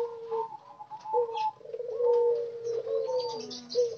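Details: Several wild-caught spotted doves housed together in one cage, getting daily care: low mellow cooing notes, some short and some drawn out, overlapping one another, with faint high chirping behind.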